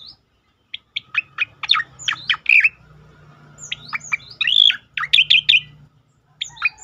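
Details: Bursting song of a striated grassbird, used as training and provocation for other songbirds: loud, rapid staccato chips and bright whistled slurs in tight clusters, separated by short pauses over a quiet low hum.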